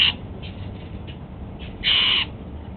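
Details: Pet Golden-fronted leafbird eating apple at breakfast gives a brief clipped note, a few faint soft sounds, then a single harsh, rasping note under half a second long.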